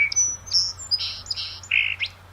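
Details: Song Sparrow, a common local bird whose variable song is likened to a dial-up modem: a quick run of high, clear whistled notes breaking into buzzy, raspy phrases, bright and varied over about two seconds.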